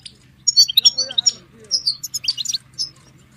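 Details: European goldfinch song played to stimulate caged goldfinches to sing: bursts of high, quick twittering notes and short buzzy trills in two phrases, separated by a brief pause, with a low steady hum underneath.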